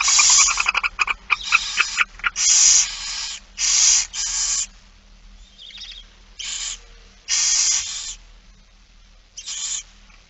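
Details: Barn owl feeding session, 8 September 2019, 16:02: a busy run of overlapping rasping hisses with short clicking and scratching sounds early on, then several longer screeching hisses separated by brief pauses.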